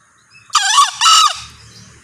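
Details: A male green junglefowl crows loudly in two hoarse, strained syllables, the second slightly longer. A low rumbling noise follows.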